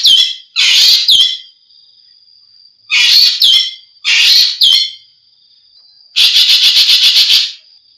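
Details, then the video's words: Ekek geling recording used to tutor captive songbirds: short harsh, scratchy chattering bursts in pairs, a thin steady whistle in the gaps, then a fast rattling run of about ten even pulses. "suara burung ekek geling"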